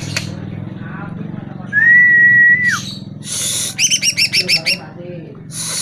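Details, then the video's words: Greater green leafbird lure song meant to make caged birds reply: a long steady whistled note, a harsh burst, then a fast run of about eight paired chirping notes over a low steady hum. "Pancingan Suara Burung CUCAK IJO Dijamin NYAUT"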